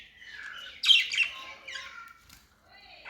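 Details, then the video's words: Budgerigars, or parakeets, singing as pets. Quick warbled chirps and a loud squawky burst, followed by softer twittering and a rising whistle. "Budgies singing | parakeet chirping sounds"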